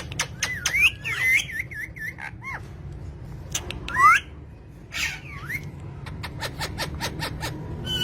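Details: Pet green parrots: a wavering whistled phrase, a loud rising squawk midway, a later harsh note, then a series of dry clicks over steady low hum.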